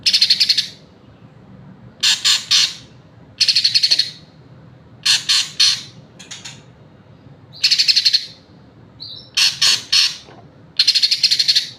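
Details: Green leafbird singing repeated bursts of high, harsh chattering trills, often in pairs, each under a second long and separated by short pauses, with a clean quiet background.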